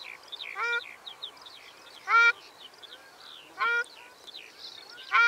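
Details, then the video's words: Ruddy shelduck uttering four nasal, trumpet-like honks roughly one and a half seconds apart, amid a busy background of small birds chirping and whistling. "Tarro canelo (Tadorna ferruginea) Canto"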